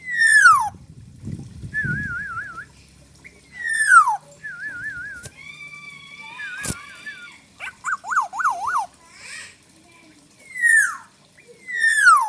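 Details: Black-naped oriole, wild-caught, rich in fill-in song material, mixes harsh downward-sweeping calls with rapid wavering trills and quick zigzag whistled phrases. A brief low rumble comes early on.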